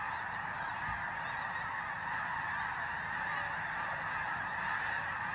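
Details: Snow geese arriving by the thousands in freezing pre-dawn darkness at Bosque del Apache near San Antonio, New Mexico, recorded on a phone, produce a steady wall of overlapping high honking calls with no pause.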